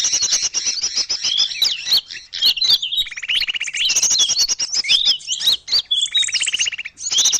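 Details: Small-bird calls played as a lure. A busy, high chatter of chirps and whistles runs throughout, with two buzzy, rattling trills in the middle and crisp clicks scattered through it.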